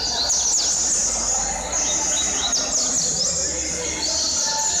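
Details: Double-collared seedeater, a caged companion bird whose session reached 147 songs, singing a sustained high-pitched warble broken by rapid falling and rising slurred notes, with faint low background noise.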